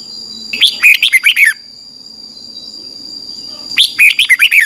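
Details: Red-whiskered bulbul morning song, used to train a wild-caught bird: two short, bubbly warbled phrases about three seconds apart, with a quiet pause between, over a constant thin high whine.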